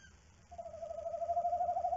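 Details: Nocturnal tawny owl heard through a nest box camera as the female leaves and the male stays on the eggs; a quavering, steady mid-pitched trill over faint background hiss and hum.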